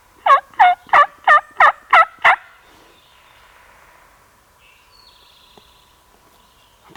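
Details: Distant wild turkey tom in Alabama, thought to be the dominant bird, gobbling almost every breath for around five minutes; a fast burst of seven throaty, bubbling notes in two seconds, then a quiet background with a faint bird chirp.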